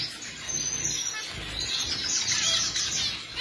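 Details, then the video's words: Several finches chattering together in a steady, high, hissing wash of fine chirps and twitters that swells toward the end, with no clear pauses between notes. "Finch pakhi"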